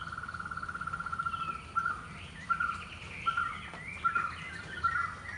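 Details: A barbet in Kerala, India gives mellow, hollow notes on one mid pitch. A quick run starts it, then the notes slow to about one every three-quarters of a second, over a faint background hum.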